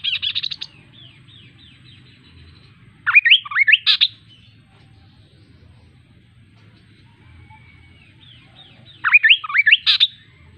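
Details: Kaso kaso bird singing in loud bursts of rapid, upslurred whistled notes ending in buzzy chatters, separated by long pauses; soft, faint trills continue between the bursts over a low background hum.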